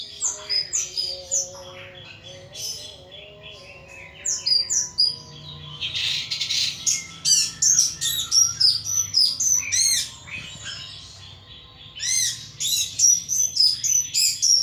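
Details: Pet thrush in a cage, kept by a hobbyist, in full loud song: varied, rapid high whistled phrases with sweeping slurred notes and chattering runs, delivered in bursts separated by short pauses, over faint low background hum.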